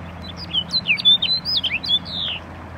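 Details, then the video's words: Snow bunting (Plectrophenax nivalis) sings a quick, sweet warble of high chirps and short slurred whistles, some rising and some falling, over a faint low hum. "Snow bunting singing"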